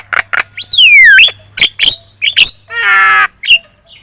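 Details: Javan myna singing a lure song to draw answers from other birds: sharp chips, a long descending whistle, harsh rasping squawks and a buzzy drawn-out note.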